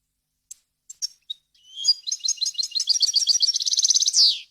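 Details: European goldfinch singing pure, error-free song meant for tutoring chicks. A few isolated high chips lead into an accelerating twitter, then a rapid trill that ends in a drawn-out, downward buzz.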